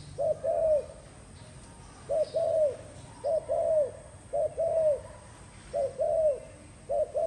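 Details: Spotted dove repeating its two-part coo six times, a short note and then a longer, smooth, downward-curving one, at irregular gaps of about a second.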